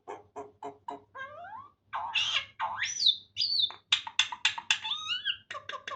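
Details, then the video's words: Common myna mimicking Farsi speech: a run of short word-like syllables, then whistled rising and falling phrases and harsh squawks, all crowded together. "Maina Khanum speaks Farsi very well and completely"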